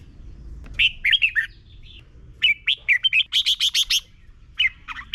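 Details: Red-whiskered bulbul singing in Thailand, played daily so young birds copy the song. Dense chattering phrases of liquid, rising and falling whistles, followed by a fast string of five bright repeated chips and a final short whistle.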